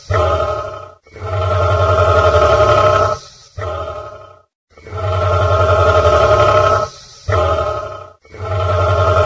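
A cassowary gives deep, throbbing rumbles in long bursts of two to three seconds, separated by shorter ones, with a rough, pulsing, growl-like tone.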